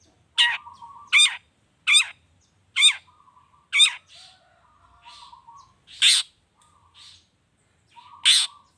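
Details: Long-tailed shrike voice used to prompt singing: a series of loud, wavering harsh notes about once a second, some followed by faint low whistled tones, then scattered softer notes.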